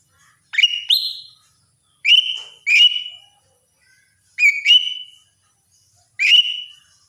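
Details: Lesser green leafbird singing its morning routine: loud clear whistled phrases with a sharp onset sliding into a level ringing tone, given in spaced bursts about every two seconds, otherwise quiet.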